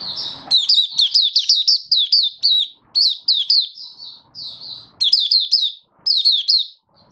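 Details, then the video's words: Oriental white-eye from Malaysia in 'buka' open song: almost continuous high, sweet warbling made of rapid slurred notes in several clustered phrases with brief gaps. "Malaysian Mata Puteh - Buka Sing"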